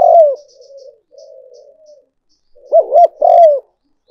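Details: Spotted dove luring call: a loud falling coo opens, soft low murmurs follow, then a strong phrase of two clipped coos and a drawn-out descending note.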